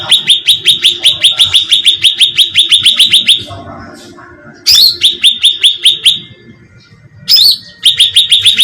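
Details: Cucak ranting bulbul bait call for drawing in birds: an extended rapid volley of shrill downslurred chirps, a lull, then two harsh buzzy notes, each followed by more fast chirping.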